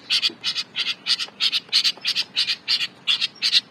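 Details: Long-tailed shrike in full, lively song, the kind used as a master for training songbirds: harsh, buzzy double notes repeated about three times a second in a steady chattering series, with no other clear sounds.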